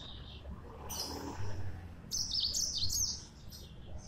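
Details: Yellow-fronted canary giving two quick bursts of high, sweet chirps and warbles, the second longer and more varied, with faint low background noise.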